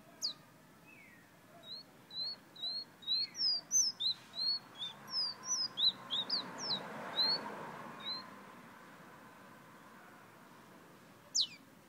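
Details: Whistling fire-red Guyana bird gives a quick series of about fifteen short, high, slightly rising whistled notes over six seconds. A single sharp down-slurred whistle follows after a pause, over faint background noise.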